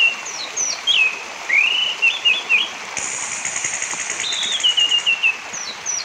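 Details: Lure recording of an orange-headed thrush singing, meant to stimulate silent or singing thrushes: rapid warbled phrases of looping, rising and falling whistles, a brief high buzzy trill, then a fast descending series of notes, over constant rushing background noise.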